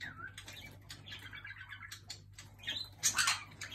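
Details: Jenday conure pestering another bird, giving scratchy, chattering calls and squawks, ending in a louder harsh screech burst, over a low steady indoor hum.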